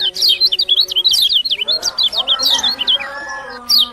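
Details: Lombok lemon-bellied white-eye, or kecial kuning, pouring out a fast stream of high, bouncing zigzag chirps for several seconds, ending with one sharp falling whistle; softer low tones behind.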